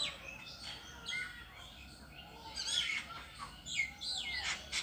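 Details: From a lone bird on a tree come thin, high whistled notes and quick downslurred chirps, scattered irregularly with short gaps between them.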